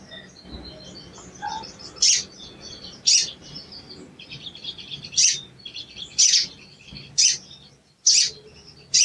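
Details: Sooty-headed bulbul cuit calls played as a lure for a silent bird: a steady series of loud, piercing chips roughly once a second, over soft high twittering.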